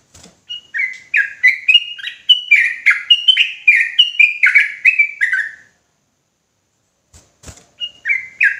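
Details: Agitated sooty-headed bulbul from Indonesia delivering a rapid, insistent series of whistled notes that swing between two pitch levels, roughly fifteen notes in five seconds, then a pause, faint clicks and a short resumed phrase.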